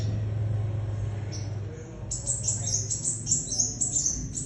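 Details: Scarlet minivet singing actively, a rapid series of high, thin chirps and short whistled notes packed closely together in the second half, over a steady low hum.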